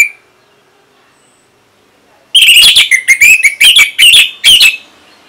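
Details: Orange-headed thrush song from Singaraja, North Bali, used as a training recording for other birds: after a quiet pause, a rapid series of loud, clear whistled and warbled notes with varied sweeps, repeated in quick pulses.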